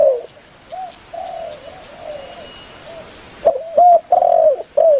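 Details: Spotted dove, a lively bird calling its companions, recorded for hunters to lure doves. Soft, low rounded coos drift through the first half. Louder bursts of three to four mellow cooing notes follow. A faint steady high whine runs throughout.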